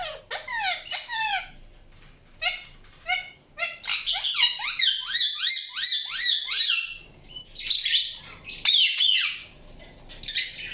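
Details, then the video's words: Indian ringneck parakeet chirping in quick bursts of short downward-slurred notes, several per second, separated by brief quiet gaps, with harsher chatter near the end. "PARROT CHIRPING SOUNDS"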